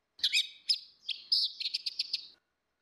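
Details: Orange-headed thrush song, female and male in ngeplong style, played as a lure to trigger singing: bright, varied whistled and chirped phrases, then a quick run of sharp repeated notes, clean and without background noise.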